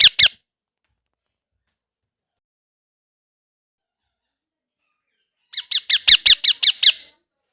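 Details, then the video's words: Blue ringneck parrot baby, kept as a pet at home: two short harsh squawks open, then after a long silence a rapid burst of about eight sharp, grating chirps, all high and clean with no other sounds. "Blue Ringneck Parrot Baby Sounds"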